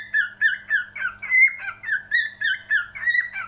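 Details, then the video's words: Whistled cockatiel song of short, slurred notes, some rising and some falling, delivered in a quick even beat of roughly three per second, with a soft low background hum. "Best Cockatiel singing"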